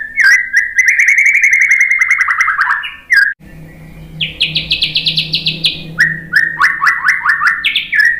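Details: White-rumped shama song meant to make other birds answer: a long loud pulsing whistle sliding downward, a brief gap with faint background hum, then high buzzy trills and repeated rising notes.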